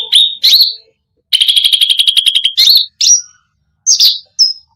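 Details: Cucak rante in full energetic song meant to provoke other birds: slurred opening notes, a fast metallic rattling trill, then scattered high thin whistles separated by pauses.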